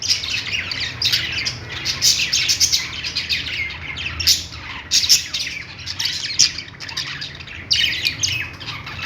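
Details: Several pet budgies at play chirp and squawk busily, with fast scratchy warbles and brief louder peaks, and a quiet low hum beneath.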